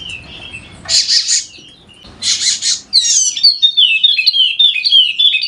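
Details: Golden-headed Wallacean white-eye, endemic to Sumbawa in West Nusa Tenggara, used to coax lazy birds into song: two loud harsh hissing bursts, then a fast, bright, high twittering song running to the end.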